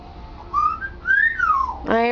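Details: Pet male African grey parrot practising words, including the names of the household's two chihuahuas: a soft level whistle, then a long arching whistle rising and falling, ending as a woman starts speaking.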